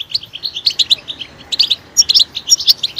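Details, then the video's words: European goldfinch giving short bursts of bright, high chirps and tinkling notes, separated by brief gaps, with a few sharper, higher whistles near the end. "Stimulating a goldfinch clip to make it chirp in a loud and wonderful voice"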